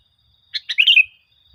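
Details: Sooty-headed bulbul song, played to train caged birds into lively singing. Two brisk chirps lead into a rapid, liquid, tumbling flourish that ends in a drawn-out fading note.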